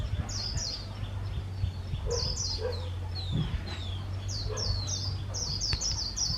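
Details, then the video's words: Caged decoy white-eye singing in the líu style: series of high, thin, downslurred chirps in quick runs of two or three, repeated throughout, with a few lower notes and a steady low electrical hum underneath. "Khuyên mồi líu cực hay - Mata puteh bird singing"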